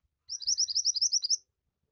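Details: Javan white-eye in lively, chatty song: a quick run of about thirteen high, sweet upslurred chirps, evenly spaced and lasting just over a second, with nothing else audible.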